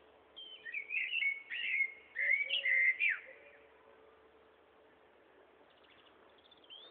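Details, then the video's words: A noisy common blackbird beside a path in Watton gives a run of fluty, warbling whistles over about three seconds, rising and falling in quick varied notes. A softer low murmur sits beneath. A brief thin whistle follows near the end. "Very Noisy Blackbirds In Watton"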